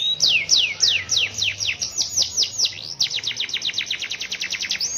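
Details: Canary keeping up its song in the rainy season, delivering a long roll. High, sharply falling notes come at first evenly spaced, then speed up into a fast, rattling trill that runs to the end.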